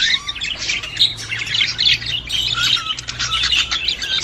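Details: Budgerigar call played to stimulate a female to breed: a dense, continuous warbling chatter of scratchy, squeaky high notes and short chirps with no pauses, over a faint low steady hum.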